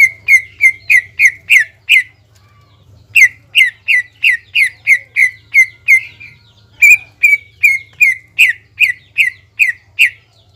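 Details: Singing to provoke a rival, a caged greater green leafbird delivers three long runs of loud, evenly spaced whistled notes with short slurred tails, about three per second, over a low steady hum.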